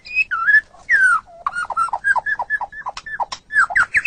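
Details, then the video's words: White-rumped shama singing, a model for training captive songbirds: rich, fluty whistled notes sliding up and down in quick, varied phrases with some sharp clicks. "Ocehan Burung Murai Batu"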